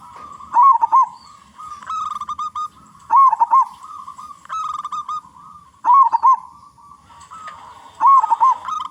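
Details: Local zebra dove (perkutut lokal) with a big voice, used as a lure to make other doves sing: rolling, wavering coo phrases repeated roughly every 2.7 seconds, between nasal, harmonic honking notes from another caller.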